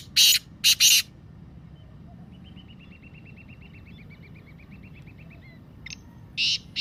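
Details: Three loud, rasping notes of a black francolin's 'masti' calling voice, then a long soft rattling trill from another bird, then the francolin's harsh grating bursts again.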